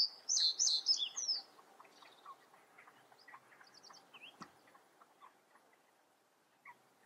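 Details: Common reed bunting singing: a quick, jerky phrase of high, thin chirps and slurred notes lasting about a second and a half, followed by faint scattered tweets and quieter, distant bird calls.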